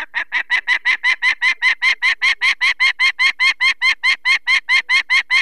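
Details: Peregrine falcon female defending her nest of four chicks, Barycz Valley, Poland, 2 May 2023, as people take away a chick with eye problems: a long unbroken series of around twenty-seven harsh, grating kek notes at a steady fast pace.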